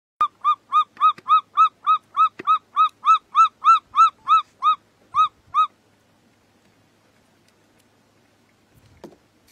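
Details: Martial eagle defending its steenbok kill against vultures. It gives a ringing series of about eighteen clear, arched yelping notes, roughly three per second, for five seconds, then near silence with faint rustling.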